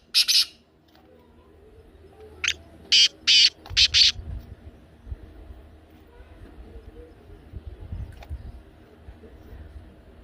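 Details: Black francolin: one harsh note, then a pause, then a rasping run of five clipped notes about two seconds in, followed by faint background rumble.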